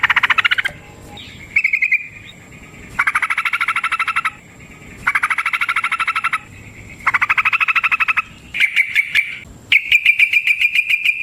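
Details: Yellow-vented bulbul ropel, a long rolling fighting song meant to lure other birds into replying: repeated second-long rattling trills with short gaps, ending in faster, higher strings of clipped notes.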